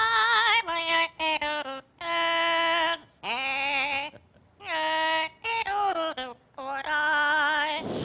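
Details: A 23-year-old male yellow-naped Amazon parrot, a trained show bird that sings seven songs, sings human-like tunes: about six clear, sustained phrases with wavering vibrato and rising slides, separated by short pauses.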